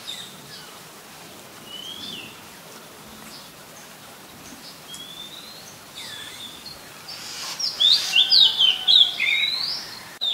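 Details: Oriental magpie-robin, a very common resident, recorded in Ubon Ratchathani, Thailand, on 18 April 2022 with a Nikon P1000. Faint drawn-out whistles early, then a loud, quick burst of varied whistled and chattering notes near the end over steady background hiss.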